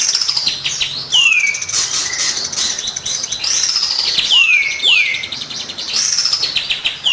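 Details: Kapas tembak song played as a lure for training birds: energetic chatter mixed with repeated falling whistled slurs and high squeaky trills, loud and nonstop.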